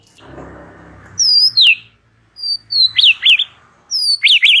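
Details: Relaxed chattering song of a white-rumped shama, played to tutor young birds: after a low hum, loud whistled notes glide down into zigzagging warbled trills, repeated in three bursts.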